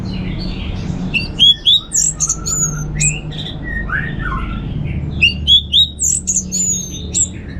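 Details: Orange-headed thrush, ngeplong song: lively, varied whistled phrases with high upslurred and downslurred notes, squeaky accents and lower slurs, given in two rapid, energetic bursts separated by a short lull.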